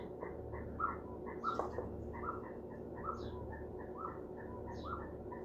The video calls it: The sound of an ostrich chick one-day